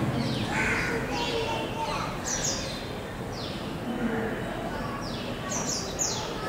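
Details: Male purple-rumped sunbird in India giving a series of thin, high, downward-sweeping notes, roughly two per second, over a murmur of human voices and steady background noise.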